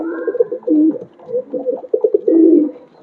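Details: Pigeon in a home loft cooing in low, throaty, bubbling phrases, a continuous run of rolling coos ending in a longer swelling note, recorded indoors.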